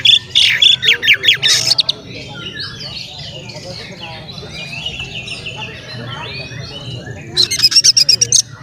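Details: Male Oriental magpie-robin song used to provoke other magpie-robins into agitation: loud clipped note bursts at the start and end, with a softer, varied warbling run between them.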